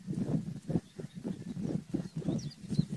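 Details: Garganey calling in a low, crackling rattle of short pulses repeated rapidly and unevenly for three seconds. A faint high chirp is heard near the end.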